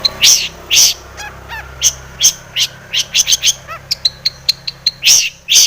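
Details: Long-tailed shrike lure song for provoking a rival to sing: loud harsh chattering bursts mixed with thin high whistles and short descending notes, varied and rapid, a mimicking full-repertoire style.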